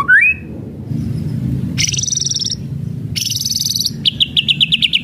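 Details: Kretekan-style song of a white-rumped shama, used to stir rival birds: a short rising whistle followed by harsh, buzzy, rattling bursts and a fast pulsed trill at the end.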